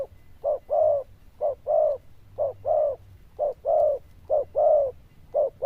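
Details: Zebra dove, loud bell-like voice, good cooing: a regular pattern of a brief coo followed by a longer, fuller rolling note, repeated about once a second.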